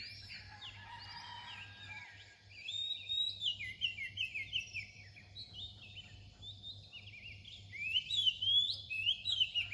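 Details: Continuous varied song of an Oriental magpie-robin near dawn: quick sliding whistles and short chirpy notes, building in loudness toward the end, over a faint steady hum.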